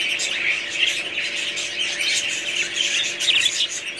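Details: Several budgies chatter at once, their high warbled phrases and quick chirps forming a steady, lively wash of sound.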